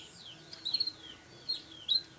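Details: Captive songbird from the Indonesian bird-song hobby, offspring of a prized bird and a hoped-for champion; sharp high chirps with short downward sweeps, given in three quick bursts over about two seconds.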